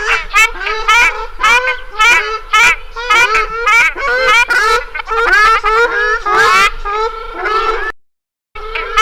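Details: Ruddy shelduck honking steadily, a dense series of loud, nasal, trumpeting calls close together, almost one per second, then a brief silence before the calling resumes.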